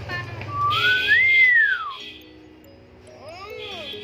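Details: A pet talking hill myna, indoors while its owner urges it to sing, gives one clear, pure whistle that rises and slides back down, then a fainter wavering whistle, over low indoor hum.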